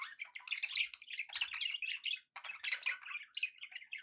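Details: Contented pet budgerigars chattering nonstop: dense, scratchy warbling and chirping rolling continuously, several birds overlapping, with only one brief pause.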